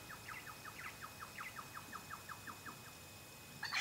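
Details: An Eastern Yellow Robin on the Chiltern Track, Ku-ring-gai Chase National Park, NSW, Australia, late July 2016, gives a steady run of about twenty short, mid-pitched piping notes, several each second, ending in a brief sharper burst.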